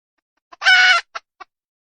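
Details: A wild junglefowl hen utters one harsh, buzzy squawk lasting under half a second, preceded by a single cluck and followed by two short soft clucks.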